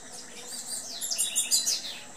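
A female tanager gives a quick series of high, thin chirps and twitters, growing louder toward the end, over a faint steady hiss.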